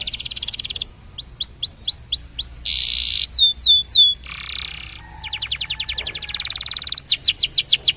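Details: Canary song meant to stimulate other canaries to sing: a fast run of varied high phrases, with buzzy trills, rapid repeated upswept chirps, dense rattles and a final series of pulsed notes.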